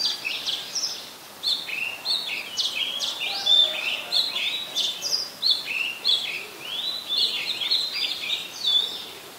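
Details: An Oriental magpie-robin sings in Ubon Ratchathani, Thailand, on 17 July 2021, recorded on a Nikon P1000: a long, continuous and varied sequence of bright whistles, quick up-and-down slurs and short chattering notes.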